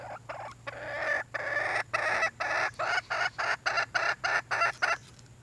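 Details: A red junglefowl hen calling for a mate: grating, raspy cackles, longer at first, then shortening into a quick, uneven series of about three to four notes a second.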